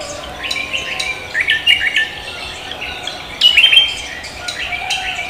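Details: Javan green magpie calling loudly at dawn, with scratchy, squeaky chirps delivered in short bursts, a louder shrill cluster near the end, and faint steady hum beneath.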